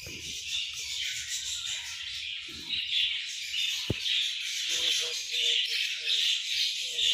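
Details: English budgies in a breeding setup, a dense flock producing continuous high warbling chatter with scattered chirps and squawks, indoors in a small room, faint low background sounds underneath.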